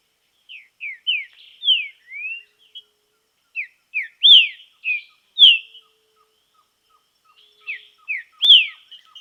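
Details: Green-winged saltator in nature, in training: series of loud downward-sliding whistles in uneven groups, with a faint regular ticking in the background.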